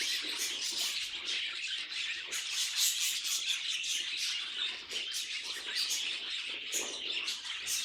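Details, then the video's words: Budgerigars chattering together in a dense, unbroken stream of high, scratchy chirps and short rattling notes, many overlapping with no pause across the whole stretch. "Funny Budgie Noises"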